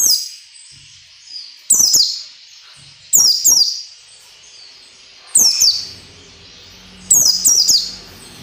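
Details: Shrill, explosive double and triple bursts of high descending notes, repeated about every one and a half seconds: white-eye ngalas nembak song meant for training caged white-eyes. A faint low hum lies underneath.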